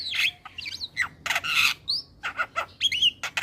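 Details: Morning Javan myna song for young mynas to copy: loud grating squawks interleaved with clear whistled notes and brief chattering, in bursts roughly every half second.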